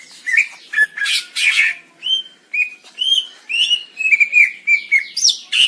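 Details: Greater green leafbird delivering a continuous varied medley of rough chirps, clear whistles and rising slurs, recorded as master audio for training.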